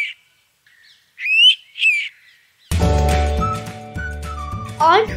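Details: An Indian Pitta, a migrant bird known for a two-note whistle heard around six o'clock at dawn and dusk, gives two clear, loud whistled notes about half a second apart, then music swells in and covers the rest.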